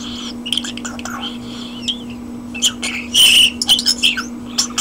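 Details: Common starling kept as a pet and sitting on a hand indoors, mixing thin wavering whistles and clicks with a loud grating rattle, then quick chirps, over a continuous low hum.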